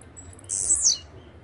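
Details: A blue-black grassquit (chirrio, pirra, tiziu, volantina) gives one loud, very high, grating buzz of about half a second that ends in a falling slur, after a faint thin lead-in note.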